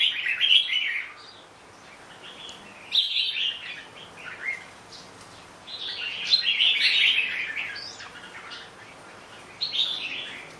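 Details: Somewhat softer red-whiskered bulbul song: scattered bursts of bubbly, rising-and-falling whistled notes separated by gaps of one to three seconds.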